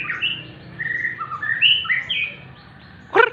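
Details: Sunning in the morning, a white-rumped shama sings varied whistled phrases in quick succession, rising and falling, followed by a brief pause and a loud sharp knock at the end.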